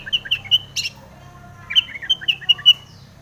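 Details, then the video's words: Long-tailed shrike song with tomiceng fill-in, used as a lure to get other shrikes singing; a few clear, high whistled notes in quick series, a harsh burst, then more chattering notes and a run of even whistles. "SUARA cendet gacor full isian TOMICENG pancingan cendet agar bunyi"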